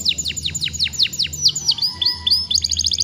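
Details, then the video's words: Young canary in full song, meant to stimulate other young birds to sing: a series of steep descending whistled sweeps, then a rising trill and fast high chatter, over a steady low hum. "PANCINGAN KENARI PAUD JEBOL SUARA JADI GACORR.."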